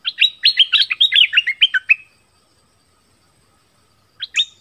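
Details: Southern Thai recording of an Orange-headed thrush singing, played to attract wild birds and teach young birds. A two-second run of fast, varied whistles and slurred warbles is followed by silence, then a brief new phrase.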